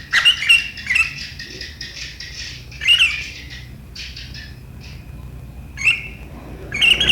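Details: Sooty-headed bulbul, 7 April 2023, in sharp riwikan style said to provoke rivals; scattered bursts of shrill chirps separated by quieter stretches with a faint hiss.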